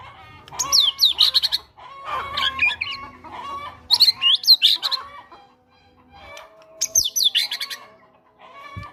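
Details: White-rumped shama fighter song rich in cinereous tit (gelatik batu) imitations, played to make quiet birds sing: several bursts of swooping high whistles and busy chatter, with a quieter stretch midway and faint low hum.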